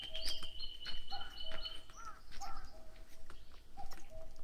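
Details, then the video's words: Birds singing in a mountain forest in Korea: sustained high whistles and short slurred notes overlapping, with rustling and thumping noise throughout. "Mountain birds singing in mountain forests in Korea"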